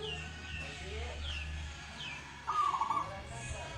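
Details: Local zebra dove, said to sing often and readily, delivers a brief burst of quick, stuttering, trilled cooing midway, while thin descending whistles from other birds and a low droning hum run through the background.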